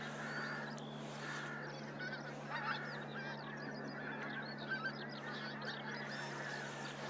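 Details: Pink-footed geese calling from a flock at Starene in spring 2023, a constant overlapping chatter of high, yelping honks with a few louder notes standing out; a steady low hum runs underneath.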